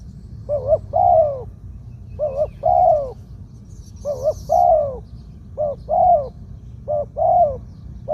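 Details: Spotted dove judged worth keeping as a ground decoy, singing its medium-pitched two-kuk 'khoo-aang' song. Five steady phrases, each a clipped double coo followed by a longer sliding coo, repeat roughly every 1.5 seconds over faint background hum.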